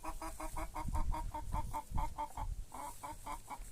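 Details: A hen calling on a rural farm gives a fast, steady run of short clucking notes, about six per second, with a strong low rumble of background noise underneath.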